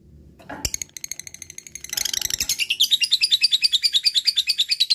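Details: Lovebird giving a long ngekek chattering song: a few scattered sharp chirps, then a dense burst at about two seconds settles into a fast, steady train of high, bright, piercing notes repeated several times a second.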